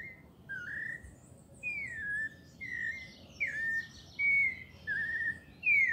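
Pale-breasted thrush singing short, clear whistled phrases, some slurring down and some rising, about one each second. Fainter high twittering sits behind it.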